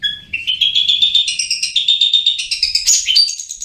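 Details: Long-tailed shrike in nonstop ngriwik-style singing: a rapid, stuttering chatter of tight notes that steps upward in pitch, ending in high, thin, scratchy phrases.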